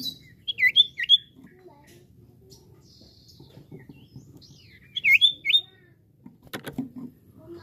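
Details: Common iora, in vigorous voice and used to stimulate other birds to sing, gives two quick pairs of clear V-shaped whistled notes several seconds apart, followed by a sharp click and a faint low murmur.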